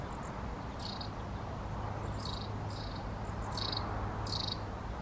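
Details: Long-tailed tit repeating short buzzy, rasping bursts about every second, with a few faint high thin notes between them, over steady low rumbling noise.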